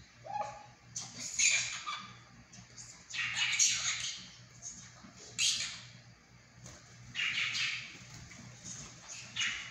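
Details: Monk parakeet kept as a household pet, taught to talk and to cluck like a rooster; harsh, raspy imitated words come in separate bursts every two seconds or so, over a faint steady hum.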